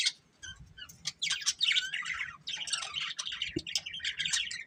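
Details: A breeding pair of budgerigars chatters in dense, rapid chirps and warbled twitters, high and scratchy, in bursts across nearly five seconds, with a faint low background hum.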